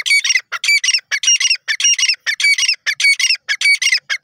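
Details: Grey francolin calling: loud, harsh, squawky notes in rapid repeated bursts, close to two per second, with a steady, insistent rhythm throughout and no other clear sounds.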